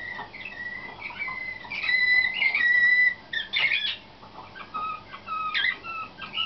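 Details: Young Slavujar (nightingale-type) canaries hatched in 2013, selected for competition and heard in training: clear whistled song with a long, steady pure whistle held about a second, then short bright chirps and rippling trills broken by brief pauses.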